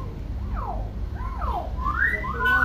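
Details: Tame, clever common hill myna known for mimicking many sounds. It gives a run of swooping whistles, falling then rising, ending in a bright upward-sliding whistle. A low background hum is present.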